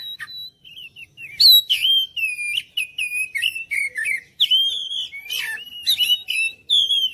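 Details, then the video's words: Oriental magpie-robin lure song aimed at prompting other birds to answer: a soft opening note, then a dense, energetic medley of varied whistles, trills and harsh clicks, almost without pause. "PANCINGAN KACER ANTI BISU"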